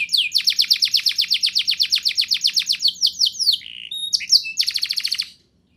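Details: Young-canary prompting song from a canary: a long steady series of bright, rapid repeated notes, followed by a few pure whistled tones and a final fast high trill before quiet.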